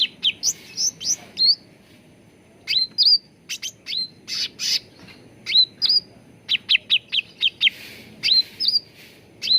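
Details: Continuous cucak ranting bulbul song used as a lure and training recording for singing birds: sharp chirp runs, upswept whistles and a few buzzy notes, in irregular phrases.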